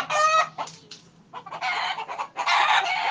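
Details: Scared roosters give loud, harsh, broadband squawks in quick bursts, with short pauses between them and a few clucking notes.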